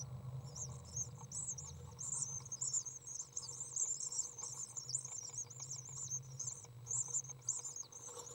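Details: Common swift young, 8 days old, in a nest box while a parent enters, feeds them and cleans the nest, recorded 6 June 2012: dense high-pitched buzzy twittering bursts run almost continuously over a low steady hum.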